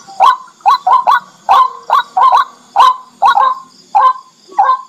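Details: White-breasted waterhen giving harsh, honking 'kru-ak' notes, about eleven in five seconds in uneven pairs and singles, with a faint high hiss behind, a swamp/paddy-bird lure recording for day and night use; finding: white-breasted waterhen.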